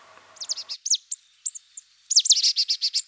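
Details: Marsh tit calling in the woods of the Château de Lorge estate (72 ha of woodland with four ponds), Côtes-d'Armor, France: a few thin, high chips, then a quick, even run of about nine sharp, bright notes, over a faint low murmur at the start.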